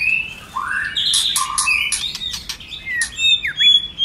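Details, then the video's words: Multi-voiced White-rumped shama song used for training and rousing other shamas: an upswept whistle opens, followed by loud crackling bursts, clipped notes and a closing dipping, V-shaped whistle. "Kích Chòe lửa hót nhiều giọng"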